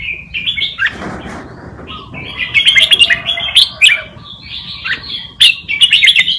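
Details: Red-whiskered bulbul tutor singing wild Malutin-style song for young birds to copy; opening whistled phrase, a brief soft gap, then lively repeated warbled bursts with quick sharp notes.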